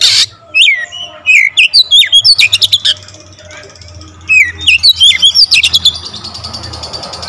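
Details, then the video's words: Full-variation song from an Oriental magpie-robin, with curling whistled notes and rapid clicking chatter in two bursts separated by a quiet spell, ending in a hissy buzz; a low hum continues throughout. "Kacer gacor nembak rapat full variasi isian"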